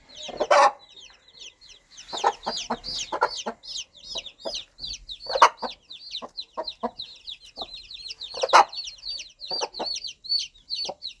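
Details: Mother hen clucking to guide her chicks toward food and safety: short, low clucks in loose clusters, with two loud harsher squawks, and high chick peeping running continuously above.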